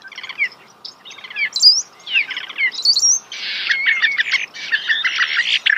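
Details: Close-range starling song, a varied run of scratchy chattering phrases and brief rising whistles. It grows into harsher buzzy rattles in the second half, with short pauses between the bursts.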